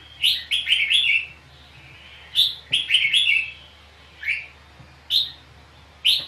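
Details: Red-whiskered bulbul trapped while fighting, singing contest song: two rapid bursts of bright whistled notes, then three single sharp chirps spaced about a second apart.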